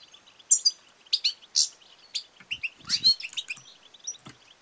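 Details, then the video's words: Female European goldfinch call used to rouse silent, lethargic males to sing; crisp high chirps and quick twittered notes follow each other in lively bursts, some sliding downward, with a few soft low knocks. "بتبتة وستستة ونداء أنثى الحسون المميزة في علاج الصمت والخمول"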